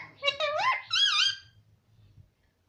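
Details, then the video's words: Parrot heard saying mummy: two quick speech-like syllables, the first rising and falling, the second higher and wavering, then silence with a faint low hum. "parrot mummy talking - baby parrot talking - cute parrot talking"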